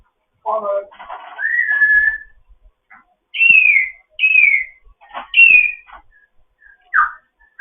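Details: Morning chatter from a foster African grey parrot. A low squawk, then a long level whistle and several bright, high, downward-sliding whistles in a row, with a brief final note.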